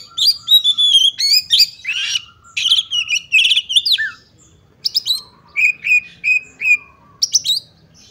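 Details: Female Oriental magpie-robin lure for males: a rich, fast medley of whistles and buzzy trills, then a slower series of evenly spaced clear whistled notes and sharp chips.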